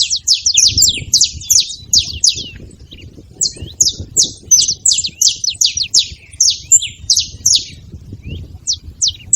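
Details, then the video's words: Saffron finch chirping noisily: clusters of high, sharp downward chips in quick succession, a brief lull, then more bunched notes and a few scattered final chips over low hum. "Canário da terra fazendo barulho"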